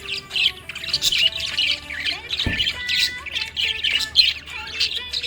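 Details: Happy budgerigar giving loud, dense, continuous chirping and warbling chatter of rapid, scratchy, high notes, with faint steady tonal lines beneath and a single low thump near the middle.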